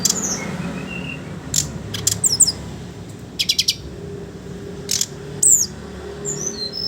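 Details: Sooty-headed bulbul in ngeriwik ngeplong style, meant as a lure for young birds: sparse, high thin whistles and short clicking rattles separated by pauses, over a soft low hum.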